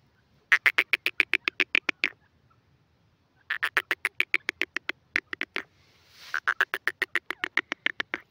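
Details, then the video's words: Grey francolin calling: three bursts of rapid, sharp clicking notes, about four per second, each burst lasting one to two seconds with short pauses between, against a quiet background. "grey francolin call pheasant birds awaaz"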